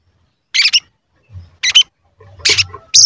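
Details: Sogon lure recording meant to trigger singing and excitement in other sogon and attract wild ones: a few short, sharp high bursts spaced about a second apart, separated by silence and faint low rumbling.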